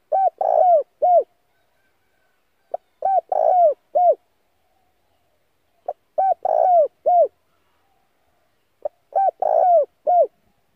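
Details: Decoy spotted dove cooing to call in wild doves, used for daily voice training: four similar phrases of deep, rounded coos about every three seconds, each a brief clipped note then three arched coos, nothing else audible.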